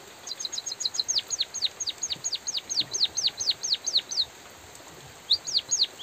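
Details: A white-headed munia sings energetically over faint drizzle: a quick string of high ticks leads into a long run of thin whistles, each falling steeply, about three per second, then a pause and a few more rising-falling notes.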